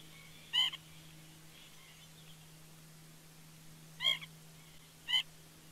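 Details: White-breasted Nuthatch visiting a bald eagle nest at Big Bear Lake, California, on 18 September 2019 gives three short, nasal, tinny calls spaced a few seconds apart, over a low steady electrical hum.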